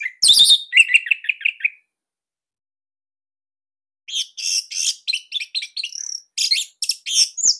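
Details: Orange-headed thrush from Bali, a training master for captive birds: a harsh opening note, a quick string of repeated short whistles, silence, then a long run of rapid buzzy high notes.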